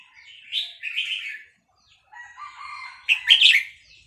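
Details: An excited Vietnamese red-whiskered bulbul singing along to a recording of hatched chicks in fast linked-phrase style; short rollicking warbles, a brief pause, then a lower chattering phrase leading into a loud bright flourish.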